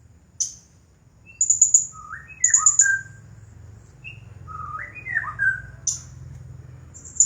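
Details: Blue-crowned hanging parrot, champion singer, 'nagih hutang' song style: sharp very high single chirps and quick triplets mixed with lower, mellow slurred whistles that rise and fall.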